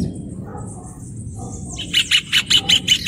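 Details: Rufous hornero song beginning after a quiet start: about seven loud, evenly spaced high notes in quick succession, over faint low background noise.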